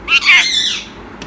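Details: Tame Urdu-speaking male Indian ringneck parrot produces a short, slurred run of nasal, voice-like syllables that trails off quickly, indoors with little background noise.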